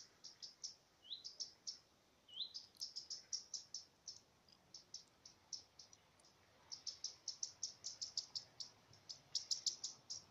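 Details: Common redstart (Phoenicurus phoenicurus) giving its alarm signal, captured by chance: rapid high, sharp ticking notes in bursts, broken twice by a short rising whistle, with a brief pause mid-series before the ticks resume.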